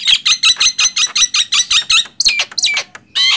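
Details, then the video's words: Nias hill myna against black-winged myna in a loud song duel: a fast run of about ten identical harsh, ringing notes, then scattered sharp whistles and a rasping burst. "Adu keras gemboran jalak nias vs jalak kebo"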